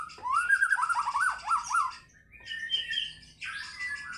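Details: Brief fighter-style burst from a white-rumped shama: a rapid series of looping whistled notes, a short pause, then higher thin whistles and a buzzy phrase.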